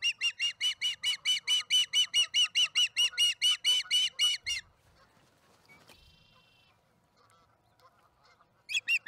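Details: Osprey with a fish at the Charlo nest, early afternoon, April 26, 2019: a steady string of about twenty loud whistled chirps, a quiet gap with a brief tonal buzz, then chirping resumes.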